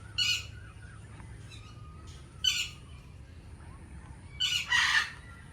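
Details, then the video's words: Harsh, grating squawks from an Indian ringneck parakeet come in short bursts at irregular intervals and end in a longer, louder screech, against a faint low rumble. "Indian Ringneck Parrot Natural Sounds"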